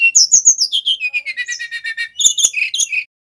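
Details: A male brown-chested jungle flycatcher from Bali, a trapping lure and song model, pours out high sliding whistles, then a steady run of repeated lower notes, and finishes with bright varied whistles.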